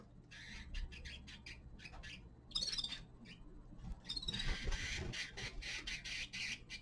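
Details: Young male common linnet singing in winter: a fast, uneven twitter of short, dry, buzzy notes, with denser runs of chirps midway and a steady low hum behind.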